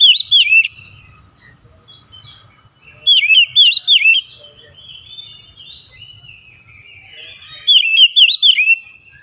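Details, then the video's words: Oriental magpie-robin (kacer) singing in morning sunlight: bursts of loud, rich whistled notes with sharp upward flicks, phrases of four or five notes every few seconds, softer warbling between, faint low rumble beneath. "SINAR MATAHARI PAGI SANGAT AMPUH MEMBUAT KACER LEBIH GACOR"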